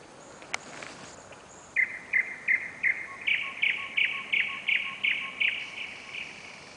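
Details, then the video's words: Nightingale singing on a July night within the city of Novosibirsk, Russia, filmed on a camera: a steady series of about fourteen sharp, clicking whistled notes, roughly three per second, each phrase identical. "песня новосибирского соловья"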